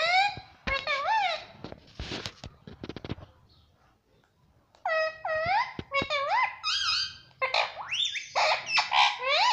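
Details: Indoors, a pet Indian ringneck parrot that says "mummy" and "papa" gives a run of bright, harmonic talking notes that swoop up and down, with a gap of clicks and rustling in the middle.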